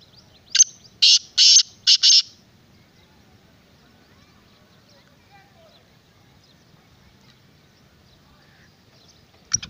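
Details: Kala teetar, the black francolin, utters a rapid series of four or five harsh, scratchy, high-pitched notes in about two seconds, then falls silent, leaving a faint rural background hum.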